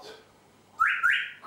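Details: Pet African grey parrot indoors giving a loud two-part whistle, each part rising then held steady, after a quiet pause; people are talking around it.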